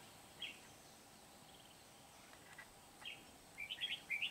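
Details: Red-whiskered bulbul from Kim Bôi, wild-caught and used in trapping, singing hard on 8 September 2019: scattered single chirps, then a rapid run of slurred warbling notes building at the end, over faint hiss.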